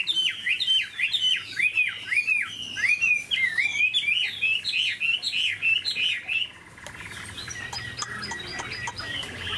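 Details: Caged Chinese hwamei, a big-bodied bird with a good voice, singing a rich run of loud whistled phrases. Rising and falling slurred notes come in quick succession, then fade into softer scattered chirps.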